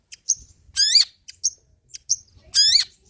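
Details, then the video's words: Cendet, the long-tailed shrike, giving 'materi jadul' song: two loud harsh bursts of stacked rising notes about two seconds apart, separated by short sharp high chips. "BURUNG CENDET MATERI JADUL"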